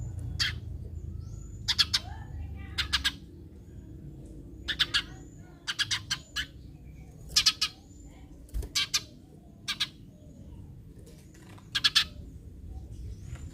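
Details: Eurasian tree sparrow calling to draw other sparrows into calling: broadband harsh chirps in short clusters of two to four, repeated every second or two, over low background rumble.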